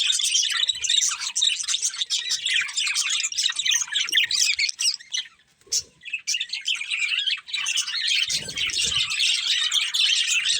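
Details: Singing budgerigars, a colourful breeding pair, pour out fast chirps, warbles and squawks. The chatter drops almost silent near five and a half seconds before resuming loudly, with a low thud around eight seconds.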